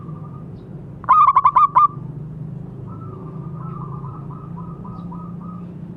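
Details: Local zebra dove, a keen singer used for therapy of silent birds: one crisp burst of five rolled coo notes, followed by a soft, distant-sounding pulsed reply and steady low background rumble.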